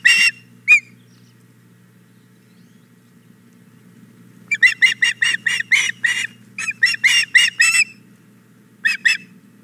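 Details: Female osprey begging at a Hog Island Boathouse nest after the male arrives with a fish. A few isolated harsh chirps, then a rapid run of loud, piercing repeated whistles, then a final short burst; faint low hum throughout.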